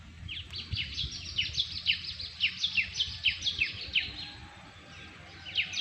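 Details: Bird song outdoors: a string of quick descending whistled notes, some paired, coming in loose bursts about three a second over low rumbling background noise.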